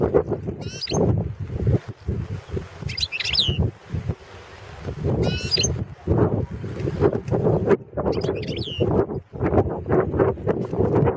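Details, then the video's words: Balkan European goldfinch, Carduelis carduelis balcanica, recorded for a 2017 online goldfinch song championship: short bursts of high, twittering notes recur about every two to three seconds, partly masked by loud, broad rumbling noise. "World championship in Goldfinch Song 2017"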